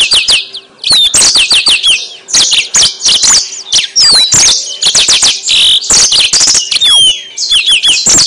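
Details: Song of a yellow-fronted canary, known locally as mozambik, played as a lure to attract birds: long continuous run of fast, high chirps, trills and looping whistled sweeps, nearly unbroken for eight seconds.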